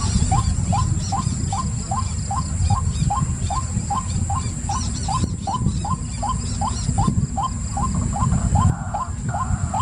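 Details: White-breasted waterhen uttering a long, regular series of short hooked notes, roughly three per second, sustained for nearly ten seconds. A low rumble and a steady high-pitched whine continue underneath.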